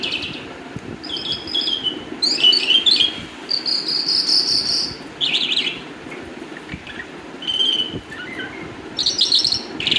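A calandra lark sings a rapid, scratchy jumble of high chirps, trills and drawn-out whistles in quick bursts, with faint background hum.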